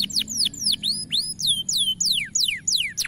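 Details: Bright-coloured canary singing with high power for long duration, tutor recording: a clean series of loud falling whistled sweeps, about three per second, each curving down sharply, on a low hum background.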